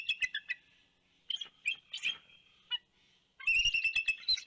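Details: Bald eagles at a nest in Big Bear, 2 January 2019, vocalizing at an intruding bird flying by. Scattered shrill chirps and short squeals with pauses between them, ending in a loud burst of rapid, piping chatter.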